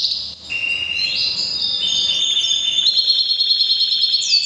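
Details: Canary singing powerfully during breeding season: continuous high trills and sustained tours, shifting between pitch levels every second or so, with a brief fast rattle near the end.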